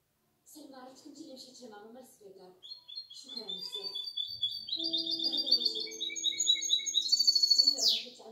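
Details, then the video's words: A six-month-old goldfinch × canary hybrid (mule) sings a bright, high song of rapid twittering trills and sustained ringing notes; a person's voice is heard at the start. "غناء طائر ميستو"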